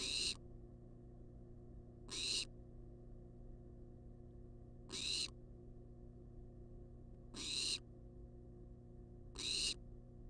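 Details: Wild barn owl in a research-monitored nest box demanding food, repeating raspy hissed screeches at uneven gaps of two to three seconds, five calls over a low mechanical hum.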